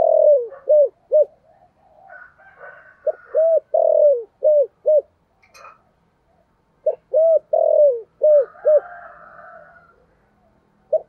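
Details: Spotted dove used as a decoy to lure wild birds, giving a regional cooing style. Mellow rounded coos come in quick groups of three or four, then pause and repeat, with faint chirps from other birds between the groups.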